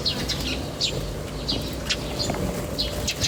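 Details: Outdoor bird chirping with sparse, separate high tweets spaced roughly every half second, some slurred downward, over a low constant rumble.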